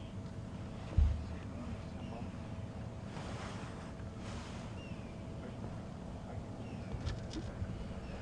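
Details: Wind and rumbling water-like noise fill the recording, with a sharp knock near one second and faint broadband rustles; no animal voice stands out.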